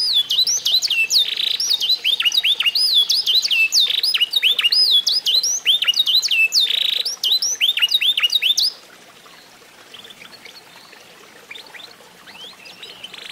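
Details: Canary, F1SF, eight months old and trained by mastering, singing bouncy looping whistles with buzzy bursts for about eight seconds before falling mostly silent.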